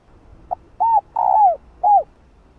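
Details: Female spotted dove urging a male with her coo: a faint short note, then a rounded coo, a long gravelly rolling coo sliding down, and a last clear arched coo.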